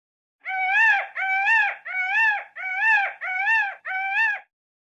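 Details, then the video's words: An Indian peafowl gives six loud, nasal, wailing calls in quick succession, each slightly rising then falling, about one and a half per second, with no other sounds. "Peacock sound effects"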